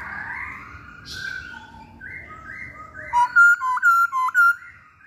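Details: Masked laughingthrush, actively singing: soft sliding whistles build into a loud, rich run of six or seven clipped, ringing notes with strong overtones, each about half a second apart, nearly free of background noise.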